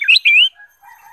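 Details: Bulbul lure song for getting other birds to sing: two loud, sweet whistled phrases, the second a long bright slurred note, followed by softer lower warbling.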